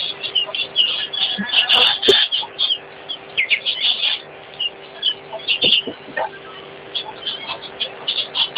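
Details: Common greenshank calling: clustered, sharp high notes repeated irregularly through the recording, with quieter overlapping chirps and a steady low hum underneath.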